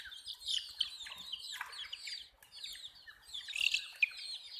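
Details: Chicks of a hen chirping nonstop, shrill overlapping peeps sliding downward, with a brief lull in the middle before the chorus swells again.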